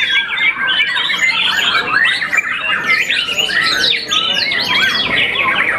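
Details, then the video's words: Contest-winning young white-rumped shama, moulted once, delivers a dense, unbroken song of quick whistles, slurred rising and falling notes and scratchy chatter, loud and varied throughout. "murai batu muda mabung satu kali || juara smm"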